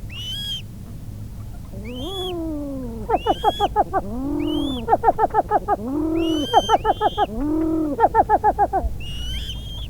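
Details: Coot calls in a wetland: a long falling nasal note, then bursts of rapid pulsed honking notes, alternating with high thin piping calls, the pattern repeated several times over a low background hum.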